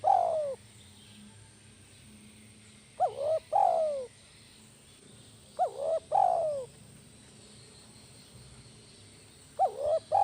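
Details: Spotted dove, a tekukur kept as a lure bird, in a loud kuk 1 style coo: paired short hooked notes followed by a longer falling coo, repeated at roughly three-second intervals, with low background hum.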